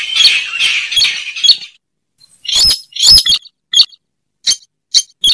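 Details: Slaty-breasted rail (weris) lure call: a burst of three grating squawks, a short pause, then sharp clipped kek notes spaced irregularly and growing shorter.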